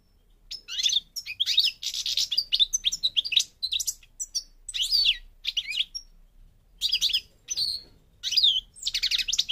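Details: Parva goldfinch of Morocco, North Africa, singing clustered bursts of bright, chattering, slightly buzzy notes, falling quiet for about a second midway, then returning with several more energetic twittering phrases.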